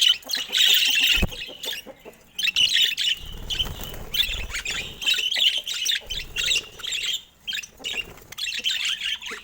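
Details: Steady budgerigar chatter of high squeaky chirps and rasping warbles in uneven bursts. A faint low rumble sounds in the middle.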